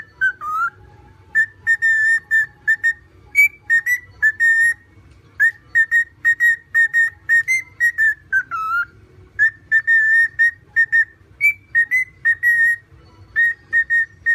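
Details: Pet cockatiel singing: a run of clear whistled notes, mostly steady and level with a few brief rising or falling slurs, delivered in quick bursts with short pauses, over a faint low hum.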